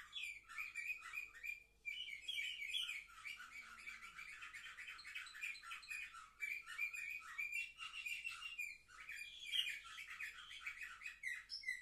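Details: A long, continuous canary song from seven-month-old birds, recorded on 10 November 2023. Dense rolling trills and buzzy chatter run on with brief pauses. Strong whistled notes stand out through the stream.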